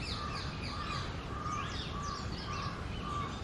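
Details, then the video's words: A male Asian koel sings in its territory from a Ficus tree as the summer breeding season approaches: repeated short, mellow notes about twice a second, with thin chirps from other birds over a steady low rumble. "Koel bird sound | Koyal Ki Awaz"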